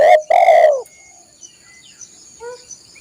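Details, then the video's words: Spotted dove singing, for training caged birds: two loud rough low coos, the second longer and falling at the end, followed by quiet background with faint high chirps and a steady thin tone. "masteran burung tekukur/derkuku"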